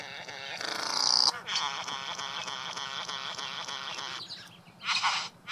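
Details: Courtship performance by a male Satin bowerbird at his bower, decorated with flowers and blue trinkets, for a female; rasping buzzy churring with a high whistled note early, then a short hissing burst.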